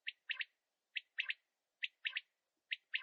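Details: Male quail giving a rapid three-note call, one clipped note then a quick pair, repeated about every second, four times in a row, against silence.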